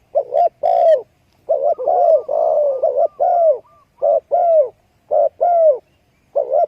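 A spotted dove gives soft, low hollow coos in short phrases, some notes rising then falling, with brief pauses between groups.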